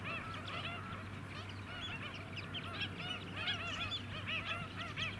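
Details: White-headed Stilts calling as a flock on the Scarborough mudflats, Queensland, July 2017: many arched, nasal kek-like notes tumbling irregularly, swelling in places, against constant low engine rumble.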